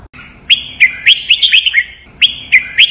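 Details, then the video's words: Red-whiskered bulbul in captivity singing a Pa La-u style phrase for young birds to imitate: a loud, cheerful string of six or seven bright, slurred whistles, then the start of a fresh phrase after a short gap. "นกกรงหัวจุก | รวมเสียงร้องเบิ้ล 23 นับดอก แม่บท ลากหวาย เพลงป่าละอู คมชัด 100% ไว้ก็อปนก"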